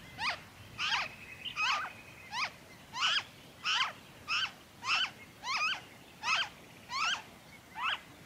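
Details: Noisy friarbird in Victoria, Australia, February 2023, repeating harsh, nasal, down-slurred squawks at a steady pace, about twelve in eight seconds, with a faint thin whistle in the background.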